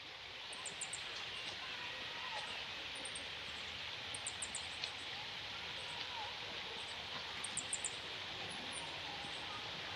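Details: Adult meadow buntings, with a male and his juveniles nearby in June 2018, Japan, give very high, thin ticking calls in quick bursts of three or four, every second or two, over a rushing hiss of wind and leaves.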